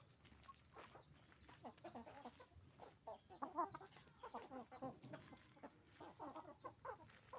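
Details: Chicken farm with roosters and hens clucking all through, a restless crowd of short overlapping notes in waves over a faint low background hum.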